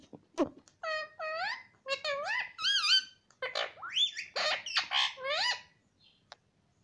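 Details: Pet Indian ringneck parakeet talking, saying words like mummy and papa: a run of high, squeaky, voice-like syllables with bending, rising and falling tones, delivered in short bursts over about six seconds.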